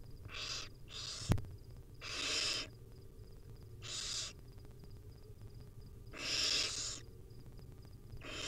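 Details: Barn owl nestlings begging while being fed tiny bits by their mother in a wild nest: a series of short hoarse hissing screeches at irregular intervals, one sharp click or knock early on, steady low hum throughout.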